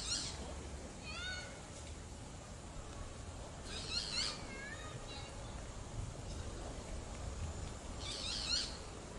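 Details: A boat-billed flycatcher (Megarynchus pitangua) sings nasal, squeaky phrases in short bursts a few seconds apart, some notes rising and falling, over a steady low rumble.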